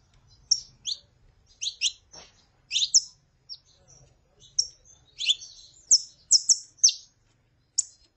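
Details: Saffron finch, female calls mixed with male song, played to stir a caged bird into singing: irregular bursts of high, piercing chirps and slurred notes, some paired and some in quick triplets, against a quiet background.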